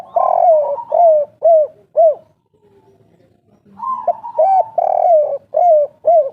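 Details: Indonesian local spotted dove, old wild forest bird, lively kuk 3 cooing: a broad note followed by three clipped arched coos roughly every half second, a quiet gap, then another full phrase of rounded coos over a faint hum.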